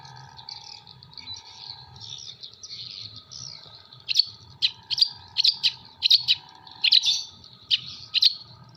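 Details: Long-tailed shrike in Jember singing copied kuntilanak, sparrow and tengkek buto material. Soft, blurred warbling opens the passage, then loud sharp chirps repeat roughly every half second, with a faint hum behind.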